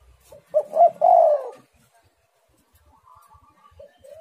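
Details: Spotted dove delivering one full phrase: two clipped coos then a longer rolling coo that drops in pitch, followed by quiet with faint distant whistles.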